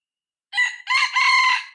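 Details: Red junglefowl decoy cockerel, six months old, being tried out in the field to lure wild junglefowl, crows once: a short opening note, then a brighter second note flowing into a long, steady, harmonic-rich final phrase, clean and unaccompanied.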